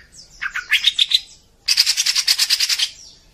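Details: Greater green leafbird (cucak ijo) rough-burst training song for captive birds: fast stuttering chirps give way to a dense, harsh, rattling burst of rapidly repeated notes lasting over a second.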